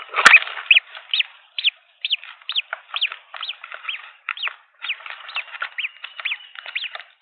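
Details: Green wood hoopoe nestlings, three hatchlings at a nest cam in Pretoria, South Africa, 17 December 2022, beg during feeding with a steady run of short, squeaky notes about two a second after a sharp knock.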